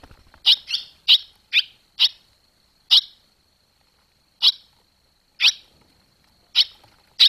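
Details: Young barn swallows fledged from the nest, 21 July 2023. Clean, sharp, high chirps repeated at irregular gaps of half a second to a second and a half, in an otherwise quiet setting.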